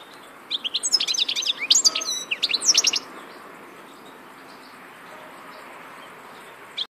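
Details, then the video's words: European goldfinch singing a busy, high twittering phrase of fast chirps and short rattles for about two and a half seconds, then quiet background. "Vukadinov pjev 1, grdelin, chardonneret,goldfinches,el jilguero"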